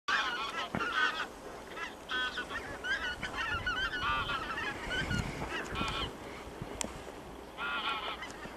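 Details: Geese flying over, giving repeated nasal honks in overlapping bursts, some loud and close, others fainter, with a steady background hiss of wind or traffic.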